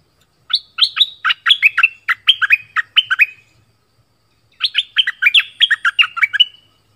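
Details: Southern Thai decoy bulbul singing: two lively bursts of quick, descending, slightly buzzy whistled notes, about a dozen per phrase, separated by a silent gap of roughly a second; clean recording with nothing else heard.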